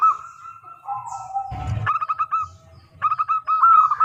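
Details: Local zebra dove singing as a lure for other doves: a drawn-out purring note, then a short burst of noise, then crisp rapid cooing notes in quick rolling runs.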